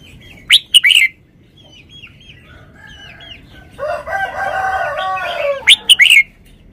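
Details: Red-whiskered bulbul song: a loud, sharp whistled phrase opens and another closes, with a rooster's long crow in the middle and faint twittering throughout.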